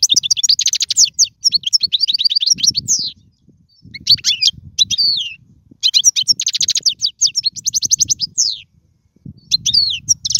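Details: Goldfinch singing a tutoring song for young birds: long runs of rapid tinkling twitters and rattling trills, a brief gap, then further fast chattering phrases over a soft low background hum.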